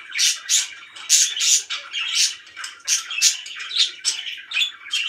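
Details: Happy pet budgies give loud, harsh, squawky chirps in quick bursts, roughly two or three per second, interspersed with scratchy warbling.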